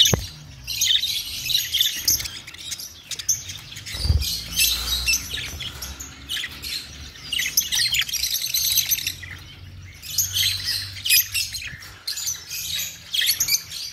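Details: Budgerigars calling: continuous high warbling chatter mixed with harsher squawks, with a brief low thump near the fourth second.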